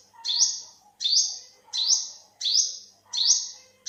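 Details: Sharp, thin calls from an olive-backed sunbird, five in under four seconds, each a rising flick into a sustained high buzz that fades, with faint softer chirps lower down.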